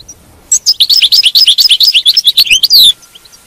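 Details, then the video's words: Captive European goldfinch delivering a quick run of bright, tinkling twitters and chirps, notes tumbling up and down for about two and a half seconds, ending in a slurred buzzy note. "تغريد الحسون، بتبته الحسون"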